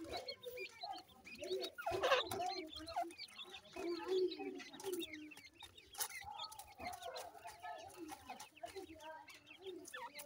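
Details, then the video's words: A brood of teetar (francolin) chicks keeps up a busy chorus of overlapping, wavering peeps and slurred chirps, some low and harmonic, others high and thin, with a couple of louder bursts along the way. "teetar bachy ki awaaz,Teetar Chicks Sounds, baby titar sound"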